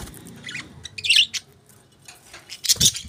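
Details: Budgerigars, plural, chirping: a few short bright chirps and scratchy squawks in bursts, with quiet gaps between them.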